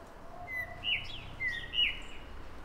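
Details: Common blackbird (Turdus merula) in the morning, giving a short mellow fluted phrase of two or three rich notes followed by a thin high twitter, against a soft low hum.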